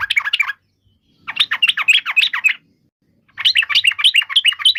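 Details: Yellow-vented bulbul singing three separate bursts of rapid, slurred chattering notes with clean silent gaps between them.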